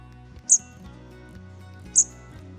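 Hawfinch: two very high, sharp clicking 'tzik' notes about one and a half seconds apart, over steady background music.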